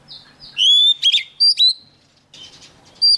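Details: Young Oriental magpie-robin singing vigorously as a wild bird comes near: clear whistled notes, one long sliding whistle, then short sharp bright phrases separated by brief pauses, with a quiet background.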